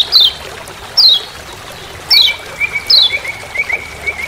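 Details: "Ciak ciak" calls of the lemon-bellied white-eye (kecial kuning, Lombok) in forest: short downslurred high chirps about a second apart, joined midway by a thin, steady, lower repeated twitter.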